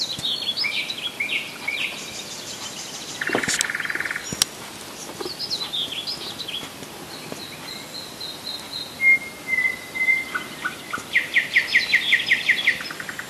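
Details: Common nightingale singing in Rassudovo, about 40 km from Moscow, in July 2011: varied phrases of high chirps, a harsh buzzy burst, a long pure whistle, then a fast, loud rattling trill, over soft outdoor background noise.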